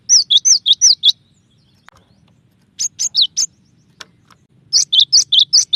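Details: Cinereous tit in varied song: rapid series of clear, bouncy two-part whistled notes, five or six per phrase, in three phrases split by pauses, with a faint low hum behind.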